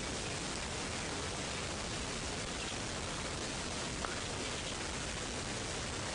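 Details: Steady broadband hiss like rain or wind noise fills the recording, with no animal sound heard.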